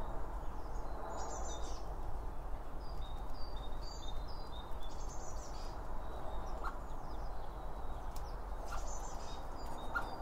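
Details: High, short chirping notes come in scattered bursts from birds eating around a feeder, recorded binaurally beside the seed, while a constant low environmental hum fills the background.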